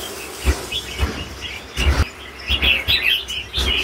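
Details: Mature red-whiskered bulbul singing in the super 'lân bổi' style: short bright chirps and warbled notes, mostly after two and a half seconds, with low thumps and knocks throughout.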